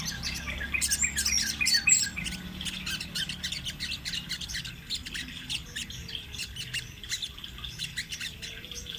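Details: Sunbird in full rolling song as a training master: a burst of rapid, thin, high notes and fast trills early on, followed by scattered quick chirps over a faint murmur.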